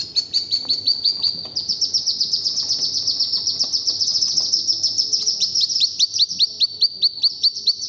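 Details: Ducklings (hooded merganser, wood duck and one mallard duckling together) give a dense, continuous stream of high, thin peeps, several calling at once with quick overlapping notes throughout.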